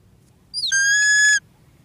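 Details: Changeable hawk-eagle of the light morph, while hunting a Mandar bird, gives a single drawn-out, piercing whistle that rises briefly at the start and then holds steady for under a second.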